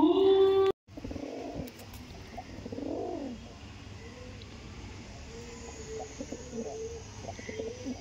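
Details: Girebaz domestic pigeons giving soft, rolling coos, a couple of louder swelling coos early and then quieter repeated ones, over steady background hiss after a brief loud tone at the start.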